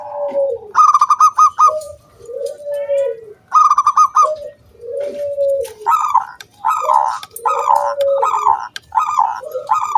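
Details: Local wild zebra dove in strong song, used as a lure so other doves start singing. Bursts of rapid, bright coo notes alternate with lower, swelling coos, and the phrases grow denser and overlap toward the end.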